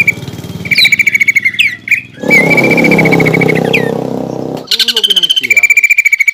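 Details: Lure song of a greater green leafbird, full of mimicked phrases of other songbirds, used to anger a rival leafbird. Fast, evenly repeated high chips with sweeping slurred notes, interrupted midway by a loud rumbling background noise.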